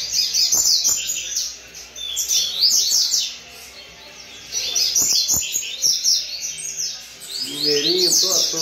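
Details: Double-collared seedeaters kept at a breeding facility sing together: dense, fast, buzzy trills and chattering warbles, high-pitched and overlapping, in bursts of a few seconds with brief lulls, plus occasional dull knocks and a low chattering near the end.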